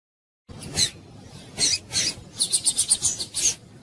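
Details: Female double-collared seedeater (papa-capim) calling to get a male singing: a few scattered harsh, high chips, then a quick run of about seven short raspy notes in the last second and a half, over a low background hum.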